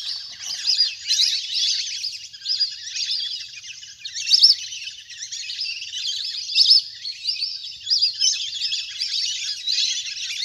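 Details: Many ducks in a big flock playing in water call together in a thick wall of thin whistles and chirps, with louder peaks every couple of seconds.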